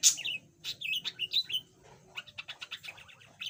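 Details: A caged yellow budgerigar, earlier mute, now chatters softly: a run of twisting, slurred whistles, then a rapid series of short scratchy ticks, with a faint hum in the background.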